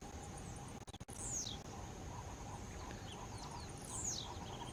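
Blue-black Grassquit gives two short, high, buzzy down-slurred notes about three seconds apart, over a steady high insect drone and a low hum.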